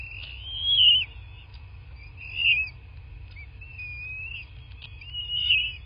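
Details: Bald eagle at a nest in a quiet landscape in southwest Florida, nest camera, 8 March 2024 around 11:00: thin, high whistled squeals rising and falling, three strong bursts about two seconds apart over a steady low hum.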